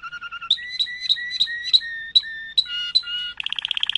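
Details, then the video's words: Malinois canary singing a series of liquid notes: short low pips, then repeated two-tone whistled phrases that drop in pitch, a long held whistle, and a closing fast bubbling roll. "chant canari malinois;canto canario malinois;تغريد كناري مالينوا"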